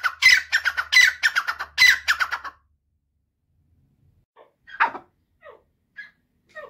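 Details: A Dakhni grey francolin (teetar) gives loud, harsh, rapidly repeated squawking notes for about two seconds, then a few softer scattered calls, over a faint low hum.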